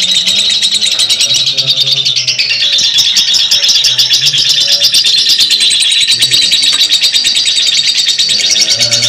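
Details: Lovebirds in a long ngekek chatter, an unbroken, dense, high-pitched rattling trill lasting the whole nine seconds, loud and close, with faint low tones beneath.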